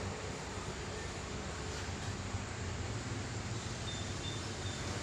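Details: Steady low rumbling engine or train noise fills the whole recording, with no animal voices standing out.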